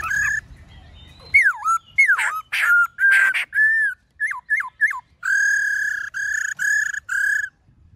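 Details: Black-throated laughingthrush singing in a varied wild-type style, loud clear whistles that swoop down and up, short slurred notes, then a run of rich, steady whistled notes with strong overtones, a low rumble at the start.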